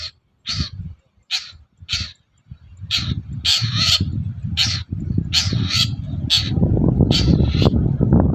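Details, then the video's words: Long-tailed shrike in the morning, calling to draw replies from other shrikes: a series of harsh, rasping, scratchy notes repeated roughly twice a second, with low rumbling noise that grows louder toward the end. "BURUNG CENDET GACOR PAGI HARI BIKIN CENDET MANAPUN LANGSUNG NYAUT"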